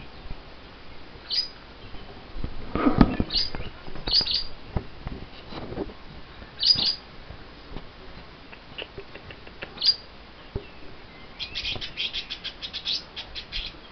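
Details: Pair of caged lovebirds upset just after wing clipping: sporadic shrill chirps, a brief rustle, then a rapid run of high chirps near the end, with low room noise throughout.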